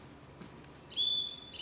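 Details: Carolina chickadee song, the 'fee-bee, fee-bay' phrase rather than its chickadee-dee-dee call: pure whistled notes alternating high and low over a quiet background.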